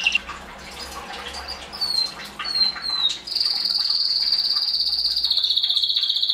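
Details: Belgian canary song recorded in 2016 to encourage breeding. Soft scattered notes and a few falling whistles over background noise lead into a loud, even, high trill held for several seconds.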